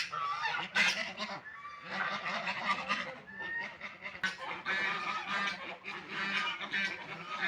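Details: A group of ducks at their food and water calls busily, with rough nasal honks in bursts and short dips between them, and a low hum underneath.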